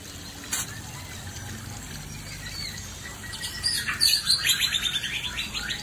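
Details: Male white-rumped shama confronting a fierce female: after a quiet start and one sharp click, a rapid series of high chattering notes, a little over two per second, runs to the end.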